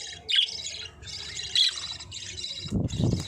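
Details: Pet budgerigars chirping: bright, scratchy warbled bursts with a few sharp high notes, broken by short pauses, over a low background rumble and a brief burst of noise near the end.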